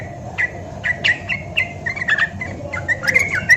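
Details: Sooty-headed bulbul from Java, singing to prompt other bulbuls to sing: a lively run of short, slurred whistled notes, several per second, with faint sharper ticks and steady low background noise.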